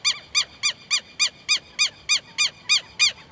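A Southern lapwing gives loud, harsh, ringing notes, each slightly arched, repeated evenly about three times a second. No other sounds stand out.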